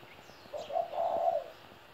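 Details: Spotted dove, a 17-year-old kept bird, giving one coo phrase: two short lead-in notes, then a longer warbling coo lasting about half a second, in a quiet setting.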